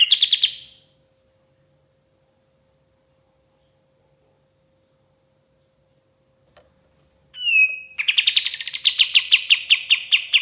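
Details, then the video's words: White-shouldered triller in full song, recorded as a training model for songbirds: a short buzzy burst, a long silence, a brief slurred note, then a fast run of sharp repeated chips that rises and falls in pitch. "KAPAS TEMBAK GACOR SUARA PAS BUAT MASTERAN BURUNG JUARA"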